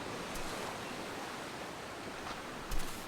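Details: Steady rushing noise like surf or wind, with a brief knock near the end and no animal calls.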